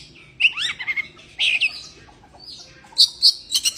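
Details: Oriental magpie-robin in breeding condition singing loud, clear whistled phrases: rising and falling slurred notes, short bursts with pauses, ending in sharp high repeated whistles; faint background hiss.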